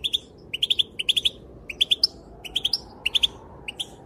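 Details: Calling female European goldfinch, her calls said to set males dancing; clipped high tweets in tight groups of two to four, repeated about every half second, with a soft steady hum beneath.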